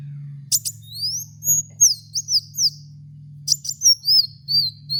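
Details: Kolibri wulung, or Van Hasselt's sunbird, as a training lure for cage birds: sharp high ticks then a series of thin sliding whistles and short twitters, accompanied throughout by a steady low drone.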